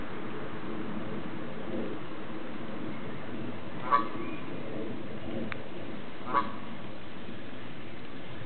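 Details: Tame Canada goose, a female kept and protected by her owner, coming up to tell him her troubles: two short nasal honks about two and a half seconds apart over a steady low rumbling background.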